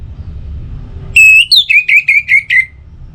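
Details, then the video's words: An Orange-headed thrush whistles a steady opening note, then a rapid series of about seven descending, slurred whistles. The song serves as a morning and evening lure to get other birds singing. "Pancingan Suara ANIS MERAH Untuk Pagi dan Sore Hari Agar Burung Jadi Tambah Gacor"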